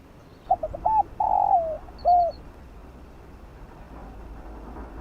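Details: Spotted dove cooing in the fast 'field voice' style used to stir up decoy birds: two short soft notes, a clipped coo, a long rolling coo sliding down, then a single arched closing coo over quiet background hiss.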